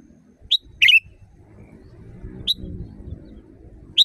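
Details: Wild sooty-headed bulbul used as a training recording for caged birds: one bright pip with bubbly chirp, then two lone sharp notes, set against a steady low rumbling background.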